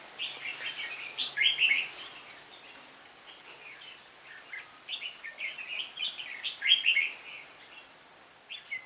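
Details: Red-whiskered bulbul decoy, the lead bird that drew a flock of twenty into a trap on 26 November 2017, sings short bubbly warbled phrases, repeated every few seconds, with quieter twitters between.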